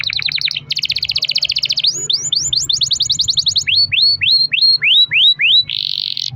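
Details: Canary long-roll song meant to get other canaries singing: fast trills, a dense buzzy roll, a run of looping sweeps, then spaced downward whistled slurs and a closing buzz.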